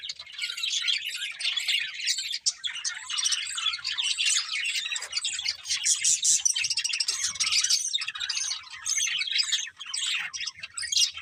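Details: Continuous budgerigar singing during a meal: an unbroken stream of bright, buzzy, squeaky twitters and clicks, dense and busy throughout, with almost no gaps.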